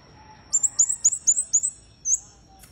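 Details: Red-headed bunting singing vigorously: a quick run of six high, thin, slurred whistles, each note dipping then rising, followed by a short pause and one longer sharp whistle; quiet background.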